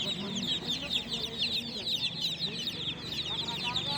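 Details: Brood of newly hatched chicken chicks at night, calling loudly: a busy stream of shrill, short, downward-sliding peeps from many chicks, with a few lower soft notes beneath.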